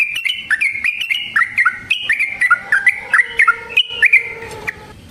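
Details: Yellow-vented bulbul in a long, rolling 'gacor ropel' song meant as a lure to provoke other bulbuls into singing and to trap them: a fast string of short, bubbly, slurred chirps, about three per second, some dipping lower near the end.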